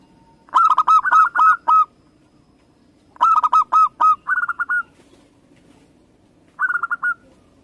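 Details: Local Indonesian zebra dove (perkutut lokal) giving three bursts of rapid, staccato cooing, five to seven quick hollow coos per burst, over a faint low hum.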